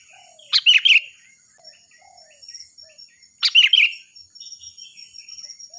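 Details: Song of a sooty-headed bulbul, loud and clear, for teaching other birds: two quick bubbling whistled phrases about three seconds apart, with soft twittering and a constant high whine.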